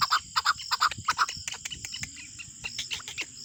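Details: A pet male desi chukar, let loose outdoors, gives a fast run of hoarse, clucking chuck notes, about three a second, loud at first and then trailing into softer clucks.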